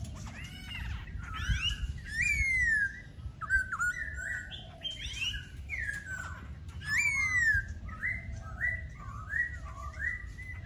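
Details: Laughingthrush song, rich and varied: loud whistled phrases with sharp downslurs and quick notes in bursts, a strong phrase near the start and another later, then a chain of short repeated whistles, with low rumble beneath.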